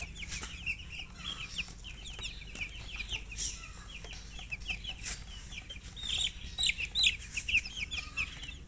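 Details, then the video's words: A chicken gives a steady stream of shrill peeps, many short chirps each second, growing louder toward the end over a low rumbling background. "silly chicken chirping sounds"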